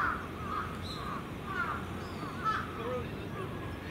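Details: Crows gathered in the evening at their Venus Terrace roost, young birds among the adults, give a quick run of four or five coarse caws about half a second apart over low rumbling background noise.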